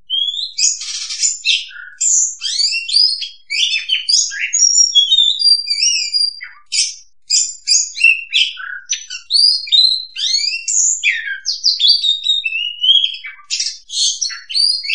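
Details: Oriental magpie-robin song used as a lure for trapping: a rich, continuous run of varied whistles, rising and falling slurs and scratchy chattering notes, very high-pitched and delivered with brief pauses throughout.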